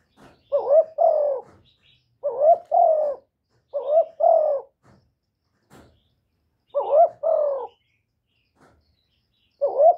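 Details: Spotted dove giving a calling and cooing series, recorded directly without extra noise: five mellow two-note coos, each a brief rising note followed by a slightly longer falling one, repeated about every one and a half seconds, with faint clicks between.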